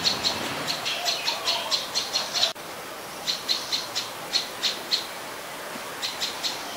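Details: Adult Common Tailorbird, common resident of Ubon Ratchathani, Thailand, 12 February 2023: loud, clipped high notes repeated about three times a second in two bursts separated by a short pause.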